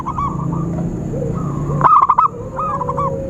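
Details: Zebra dove call for luring birds into traps: a loud burst of fast stuttering coos in the middle, framed by softer rounded notes before and after, with a faint steady whistle in the background.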